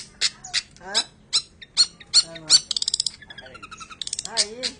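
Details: Long-tailed shrike singing a varied, rapid song of sharp high notes, chattering trills and slurred downward whistles, delivered in quick bursts with short rapid runs near the middle.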